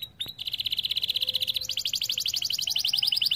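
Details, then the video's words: Canary song used to prompt other canaries to sing: a rapid, even trill of bright high notes repeated about four times a second, shifting partway into a slightly higher, fuller trill that runs on to the end. "PANCINGAN KENARI SUSAH BUNYI"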